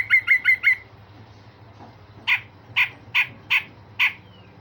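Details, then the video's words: Grey-cheeked bulbul with sharp 'tembakan' and rough 'besetan' notes: four quick clipped whistled notes, a gap, then five evenly spaced loud harsh squawks about half a second apart. "Cucak jenggot Besetan Kasar dan Tembakan Tajam"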